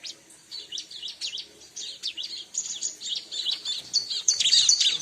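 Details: Bar-winged prinia played to lure birds of its kind: dense, fast, high-pitched twittering that grows louder and busier toward the end.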